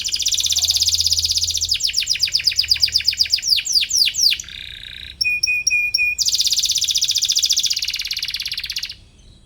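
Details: Atlantic canary singing to seek a rival, for young canaries learning song: a buzzy high trill, clear sweeping chirps, a low nasal note, metallic pips, then a long dense rattling trill ending abruptly.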